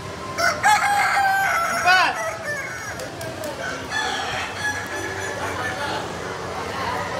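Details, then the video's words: Kukuak Balenggek rooster crowing at a crowing contest in Bukittinggi: a loud, drawn-out, multi-part crow with stepped tones, repeated twice in the first two seconds, then a noisy crowd murmur with fainter crowing from other birds. "LOMBA AYAM KUKUAK BALENGGEK"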